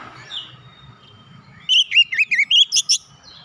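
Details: Kacer, or oriental magpie-robin, singing to bring a silent bird back into song. A short, rapid string of fluid whistled loops follows a low background rumble.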